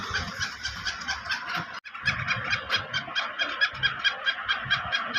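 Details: Black francolin, a Black Sindhi teetar kept in captivity, calling in a rapid series of harsh, scratchy notes that repeat a little more than twice a second. A short gap interrupts the series midway.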